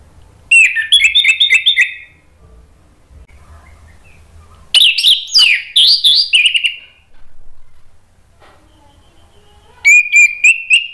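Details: An orange-headed thrush (anis merah) in full song, used as a lure to stir silent birds into singing: three loud bursts of rich, varied whistled phrases, fast and high, separated by quiet pauses of a few seconds.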